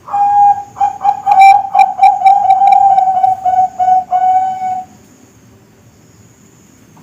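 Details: Kept young zebra dove of the Bangkok type (perkutut Bangkok): a rapid, tumbling series of soft coos over about five seconds, ending in a slightly longer note, then silence.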